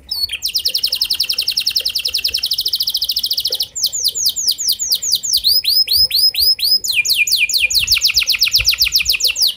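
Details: Canary lure song, meant to get other canaries singing: a long high buzzy trill of rapid repeated notes, then fast downslurred whistled rolls and a final run of rising-falling trilled notes, loud and continuous.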